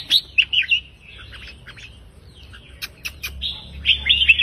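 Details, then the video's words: Red-whiskered bulbul in the counted-phrase 3-4-5 song style, used to rouse other birds: clear high whistled phrases at the start and end, with sharp clicks and a thin sustained note in between, low background hum. "นกกรงหัวจุกสายนับดอกเพลง 3-4-5 ยั้วนกฟังนกคึก"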